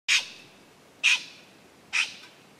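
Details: Two black-throated magpie-jays, seen in silhouette; one gives three harsh, broadband squawks, evenly spaced about one second apart, against a quiet background.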